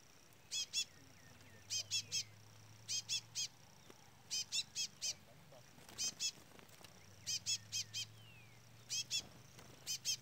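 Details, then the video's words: Young chestnut-bellied seed finch peeping continuously beside a brown adult. Bright, high, short notes come in tight clusters of two or three, each cluster about a second apart, over faint low rumble. "Curió Pardo cantoria Trola / Curió Pardo Trolinha"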